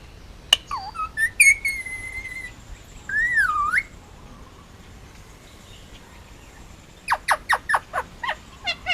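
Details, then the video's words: Hand-fed male Indian ringneck parakeet, nearly two, from Oahu, Hawaii, produces a sharp click, swooping whistles and a wavy rising tone, then after a quiet gap a quick series of short, sharp chirps. "Indian ringneck talking and making noises"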